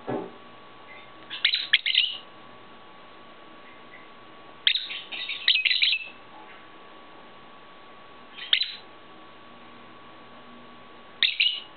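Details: Lovebirds bought from a pet shop, among them a grey one unable to fly after wing clipping; bursts of piercing, squeaky chirps repeated every three to four seconds, separated by near silence.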